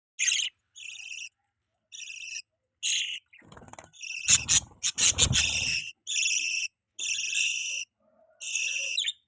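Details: Pet budgerigars feeding a baby: harsh, raspy, buzzy chirps in half-second bursts repeated about every second, broken midway by loud scuffling, rustling noises during feeding.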